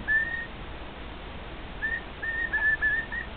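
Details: Male cockatiel kept as a pet, singing with two other cockatiels nearby: a long clear whistle, a pause, then a run of short flat whistled notes in quick succession, against faint room noise.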